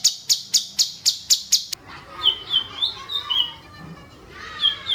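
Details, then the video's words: Songbird in 'tembakan jitu' masteran style: seven quick, evenly spaced sharp notes, then looser, rising and falling whistled phrases mixed with rustling background noise. "masteran burung tembakan jitu"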